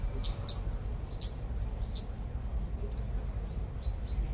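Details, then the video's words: Sunbird, a lure bird noted for strong singing, recorded in Long Thành, Đồng Nai, Vietnam. It gives scattered high, buzzy, thin chips, then a few sharper tinkling notes toward the end, over a low rumbling background. "Chim Hút Mật 5 Màu Mồi Siêu Hót"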